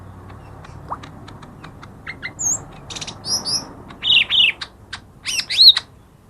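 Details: Lure song of a lesser green leafbird, aimed at quiet birds: soft ticks build into scratchy notes and then loud, down-slurred whistled phrases, with a low background murmur.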